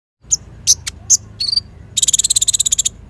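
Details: Sunbird in full energetic song, used as a lure and tutor for training other birds: several sharp high chirps, a short thin whistle, then a fast buzzy high trill of about fifteen notes. Background quiet.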